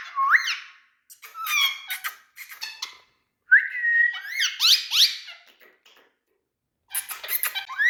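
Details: Several big male Indian talking parrots mix rising whistles, buzzy chatter and sharp upslurred squeaks in busy bursts separated by short gaps.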